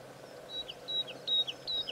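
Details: Woodlark at Serra do Suído giving sparse, high, thin notes, each paired with a short slurred drop, repeated about every half second against a faint background hiss.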